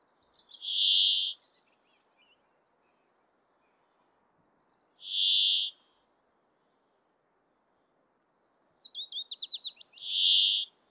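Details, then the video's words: Male Brambling in breeding plumage singing in Abisko National Park, far northern Swedish Lapland, on June 24, 2022: a harsh, nasal buzz given three times about every four to five seconds, with a quick trilled series before the last, over faint wind. "Brambling Sings His Simple Song In Breeding Plumage"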